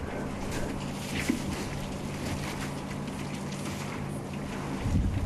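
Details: Steady low engine hum with wind rumble during an evening safari drive, and no animal voice stands out.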